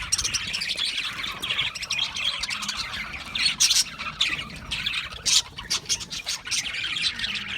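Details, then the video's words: Chirping Australian parrots, with harsh squawks and fast chatter from many birds and occasional louder sharp calls standing out. "Beautiful Australian Parrots Chirping sounds"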